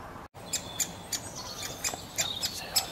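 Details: Pre-fledged great spotted woodpecker chirping while being fed by its parent: short, high, sharp chirps repeated several times a second in irregular bursts over steady background hiss.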